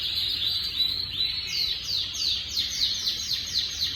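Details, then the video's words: Timbrado canary singing, recorded 25 August 2025: a continuous high warbling song of rapid repeated rolling notes, over a steady background hiss. "Timbrado toàn sắc đẹp"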